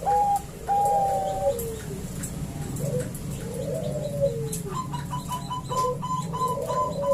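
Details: Female Bangkok-type zebra dove calling the male: high cooing notes and lower, falling coos, ending in a quick series of repeated short notes, over a constant droning background.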